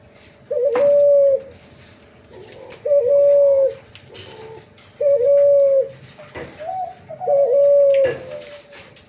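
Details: Cuhu Kelantan, hybrid of Kelantan spotted dove and tangerine collared dove, repeating a flute-like coo: four even, sustained pure notes of about a second each, evenly spaced every two to two and a half seconds, with faint clicks between.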